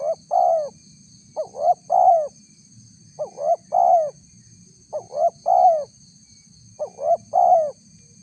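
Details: Loud spotted dove call for luring wild doves. Five rapid three-note coo phrases come roughly every one and a half seconds, each ending in a longer mellow note. A steady electronic whine runs underneath.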